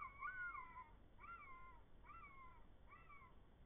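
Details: Red kites in the Eifel, Germany: four drawn-out mewing whistles, each rising briefly then sliding downward, repeated about every 0.8 seconds and fading slightly, with a soft low background hum.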